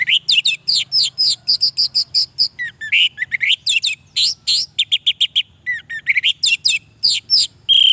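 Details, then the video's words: An orange-headed thrush sings a fast, unbroken run of high, bright, varied whistled and chattering phrases, notes tumbling without pause; used as a lure song to prompt lazy male orange-headed thrushes to answer. "suara Anis merah untuk pancingan"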